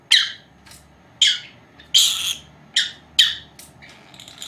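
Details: Two four-month-old female lovebirds kept at home, calling while napping; sharp, harsh chirps and short squawks repeated roughly every half second to one second in a quiet indoor room.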